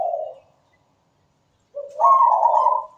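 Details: Zebra dove song used to prompt other birds to sing: a short low coo, a pause, then a rising rolling phrase swelling into a loud sustained coo.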